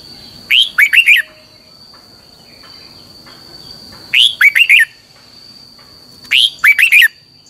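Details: Red-whiskered bulbul singing a training song in the long twisted double-voice style, used as a lure song for training other birds: three bursts, each a rising then falling slurred note followed by three quick warbled notes, about every three seconds, over a steady high whine.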